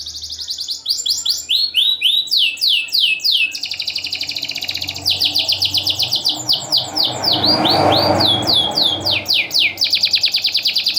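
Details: Loud caged champion canary with tight song phrasing, a lure for reluctant singers: long run of descending whistled sweeps and rapid trills, repeated about three or four per second, with a brief low rumble midway.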